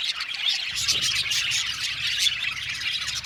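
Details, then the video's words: Aviary colony of budgies chirping together, continuous high twittering and rasping chatter, busy and unbroken, with faint low rumbling underneath. "Budgie amazing chirping sound | Budgies calling sound to make him happy"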